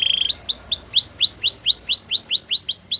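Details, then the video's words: Canary singing a training song: a brief low rolling trill followed by a steady series of rising upward-swept whistles, about four per second, clear and loud against a quiet background. "Canary's training song"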